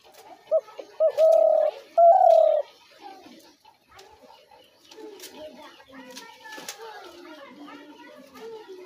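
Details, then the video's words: Spotted dove call of the sort played to attract doves into traps: short pips and two long sustained coos in the first three seconds, then a mix of voices and soft background sounds. "ঘুঘু পাখির ডাক/Dove bird calls/gugu pakir dak/ dove trap sounds"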